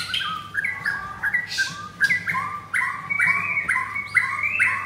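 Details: White-rumped shama of the 'blorok' mottled type, caged, countering a rival on Thursday 19 May at 9 a.m.: quick sequences of short whistled notes repeated in rising steps, with a few harsh scratchy bursts and steady hum.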